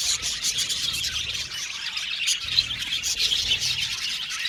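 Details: Many budgerigars chattering in an aviary, high buzzy chirps and squeaky notes layered into a dense, unbroken twitter.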